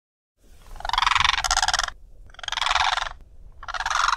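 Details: Blue Crane in the southern Karoo gives three loud, harsh, rattling calls, each about a second long, separated by brief pauses, over a faint low background rumble.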